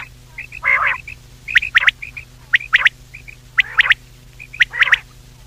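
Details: Common quail (batair) calling at night for hunting: one nasal call, then repeated pairs of short sharp clicks, each pair sometimes followed by a softer nasal note, about once per second.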